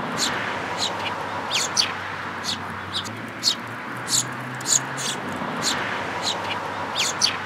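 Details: Eurasian tree sparrows at a feeding place in a plum tree at a Tenmangu shrine, 22 May 2022: short, sharp chirps scattered irregularly through the clip, some doubled, over a steady low hum and background noise.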